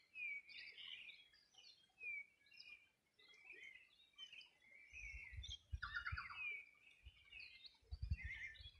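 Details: Birds singing at the riverside of the Río Bueno, Los Ríos Region, on a summer morning in 2020: repeated sharp whistles and busy twittering from several birds, with bursts of low rumbling noise in the second half.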